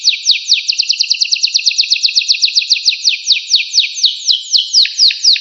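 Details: Canary singing a fast, clean trill of sharp descending notes, about four per second, high-pitched and evenly spaced. The tempo slows slightly near the end, closing on a few lower notes. No other sounds.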